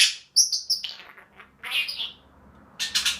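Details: A happy pet Senegal parrot gives a quick run of high, sharp chirps, then harsher rasping squawks and a final burst of scratchy, broad chatter.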